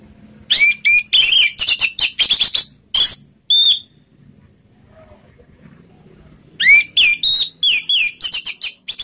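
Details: Orange-headed thrush singing slowly in "ngeplong" style as a lure for other birds: dense runs of sharp high notes and upslurred whistles in two phrases split by a short silence, with light background noise.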